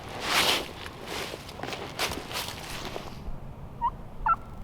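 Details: Wild turkeys gobble loudly and close, about 100 yards away, on a windy spring morning hunt in Nebraska: a burst of rapid, rattling gobbles over about three seconds, then two short, sharp yelps against a steady windy hiss.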